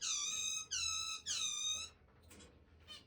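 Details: Two pet zebra finches resting on the back of a hand break into a sudden loud, shrieking song: three nasal, honking notes of about half a second each, then faint soft clicks.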